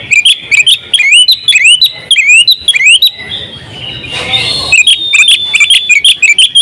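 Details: Oriental magpie-robin, called kacer, a champion bird in ngobra style with full isian. Quick upslurred whistles repeat for three seconds, then a short rushing noise, then the bright chirping phrases return.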